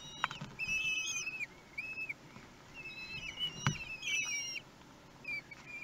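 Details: At a nest in Théding, France, on 31 May 2020, week-old common kestrel nestlings beg during a feed: shrill, thin, wavering whistles in uneven bursts, with occasional sharp taps and knocks.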